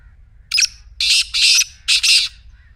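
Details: Black francolin calling, used to get a quiet partridge to call. Harsh rasping notes come as one short note, then a long doubled note, then a final doubled burst, over faint low background hum.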